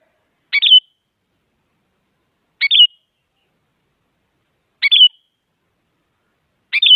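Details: Female sooty-headed bulbul calling a male, used to stimulate silent bulbuls; brief bubbly whistled phrase, repeated about every two seconds, four times, in silence between.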